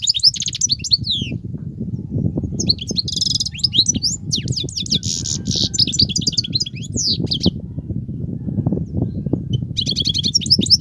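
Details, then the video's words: Wild European goldfinch singing continuously with 'betbetat' phrases: bursts of high twittering, sliding notes and buzzy trills over steady, loud low rumbling noise throughout. "صوت الحسون البرى:مقنين خلوى ممتاز..بتبتات.. غناء لاينقطع"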